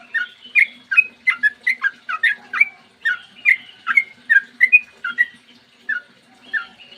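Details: Yellow-vented bulbul singing 'ropel panjang', a long morning run used as a lure for other bulbuls. A rapid cascade of liquid whistled notes, about two to three per second, easing off toward the end.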